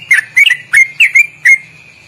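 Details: Sooty-headed bulbul's ropelan trill, long and loud with quick twisting inflections, used as training song: six short whistled notes, some doubled, over two seconds, ending abruptly, with a soft low hum in the background.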